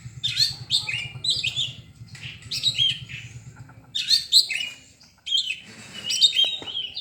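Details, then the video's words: Oriental magpie-robin song: bursts of rich chirping and warbled high notes in phrases separated by short pauses, over a low steady hum. "Burung kacer"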